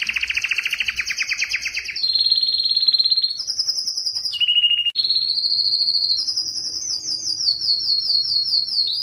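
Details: Yellow canary singing a chain of rapid trilled tours, shifting from fast rolling trills to steady whistled notes and a brief low dip, each phrase repeated many times before the next begins.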